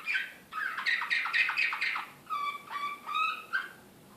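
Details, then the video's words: Serbian slavujar-style song canary from Belgrade, 2016, described as excited, singing a series of rapid repeated downslurred syllables, then steady whistled notes with bright overtones, in short bursts. "SLAVUJAR SRPSKI"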